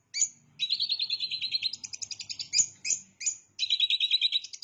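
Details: Long-tailed shrike copying bar-winged prinia, with fast stuttering trills of high notes broken by sharp single chips, the trills repeating in quick runs.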